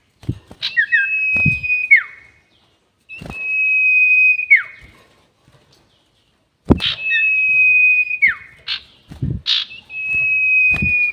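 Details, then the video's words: Repeated long sirtu whistles for luring birds into traps. Each steady high note ends in a falling slur, with gaps of a few seconds between phrases. Scattered sharp clicks and taps are heard throughout. "SIRTU NYIUL PANJANG ..... ‼️ Cocok Untuk Pikat || Suara Pancingan Sirtu"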